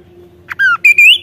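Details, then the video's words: Kaso-kaso in lively 'nembak' song, loud and sharp: a short buzzy note, a whistle sliding gently downward, a pause, then two strong whistled notes ending on an upward slur, with a faint low hum behind. "BURUNG KASO KASO GACOR NEMBAK"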